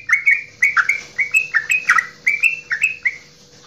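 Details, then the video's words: Straw-headed bulbul (Javanese) sings a long, loud "goklikan" song of rich, bubbling phrases of two or three liquid notes, rising and falling nearly every half second, over a faint steady hum; used to stimulate other bulbuls to sing. "Cucak Rowo Jawa Goklikan Terpanjang"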